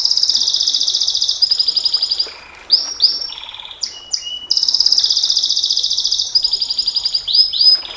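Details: Canary song of the 'nembak panjang' (long shooting) style: long, very rapid high buzzy trills broken by brief swooping whistles and lower rattled phrases, then a fresh trill resumes, loud and continuous throughout.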